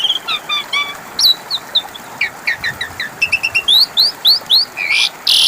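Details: Varied Asian pied starling song, played to coax a mute bird into calling: quick jumbled chirps and squeaks, then brighter upslurred whistles, ending in loud harsh rasps.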